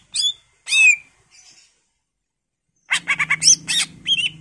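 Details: Greater green leafbird giving harsh, squawky notes, then after a pause a rapid burst of mixed chattering and whistled notes over a low steady hum.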